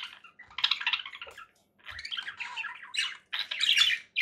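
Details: Conure parakeet giving harsh squawks and chattering chirps in uneven bursts, with short silent gaps between phrases.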